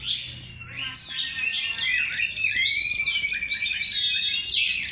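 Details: Oriental magpie-robin song used as a lure: a dense, rapid stream of varied whistles, sweeping slurs and chirps, with notes tumbling over one another without pause.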